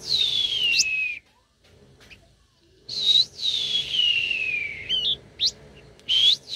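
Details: Loud, clear whistled phrases from a very tame blue-winged minla, each gliding down in pitch and followed by short upward flicks and chips, with a silent pause between phrases.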